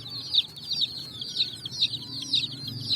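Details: Colourful chicks on sand in evening sun, shrill peeping in loose bursts about once a second, each burst a cluster of quick downward-slurred notes.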